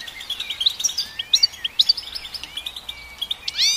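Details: Goldfinch song of quick bright chirps repeated about twice a second, mixed with short sliding whistles and ending on a rising slurred note.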